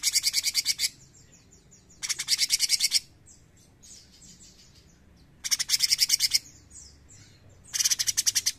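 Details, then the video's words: Chatty cucak cungkok bulbul: four bursts of rapid, rasping, evenly spaced high pulses, each under a second, separated by pauses with faint slurred whistles. "CUCAK CUNGKOK GACOR NEMBAK GURIH!"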